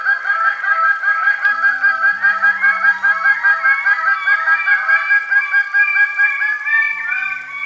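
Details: Greater bird-of-paradise giving loud, nasal honking calls in a rapid, steady series of about two to three notes per second. Several voices overlap into a continuous chorus of harsh, harmonic honks, with no other clear sounds.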